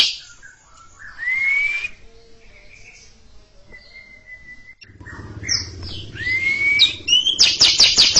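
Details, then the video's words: Caged greater green leafbird singing before a stalled junior bird: a rising slurred whistle and sparse high notes, a long flat tone, then quick varied phrases building into a fast repeated buzzy ngekek chatter at the end, with a low hum behind. "Cucak Ijo ngekek panjang siap ngeroll didepan junior macet"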